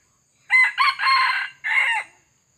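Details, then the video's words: Male red junglefowl crowing in the wild while being lured with a decoy; one loud ragged crow broken into four segments, the long third part strained, ending with a falling tail note. "PIKAT AYAM HUTAN JANTAN"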